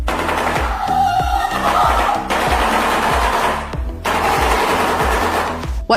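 Shoebill giving a rapid, dry clattering like a machine gun, in bursts of fast knocks, under loud background music.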